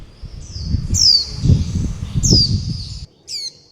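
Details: Young warbling white-eyes calling mother and flock while begging for food: high, down-slurred chirps with buzzy trailing notes over a loud, low, rumbling background noise that stops near the end.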